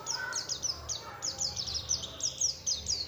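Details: Oriental white-eye lure song meant to draw replies from other white-eyes, a quick stream of high, thin, downslurred twittering notes in bursts, with faint low rumble behind.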